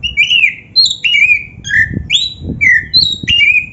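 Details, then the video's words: Oriental magpie-robin, black-breasted form, singing a lively training-recording song rich in varied fill-in phrases: a run of clear, slurred whistles, some rising and some falling, with short gaps between notes and a faint low hum behind them. "SUARA BURUNG KACER MASTERAN GACOR ‼️Full Variasi isian MEWAH"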